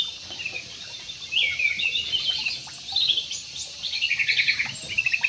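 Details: Aviary budgerigars giving a continuous, busy warble of high, scratchy chirps and twitters that grows denser toward the end.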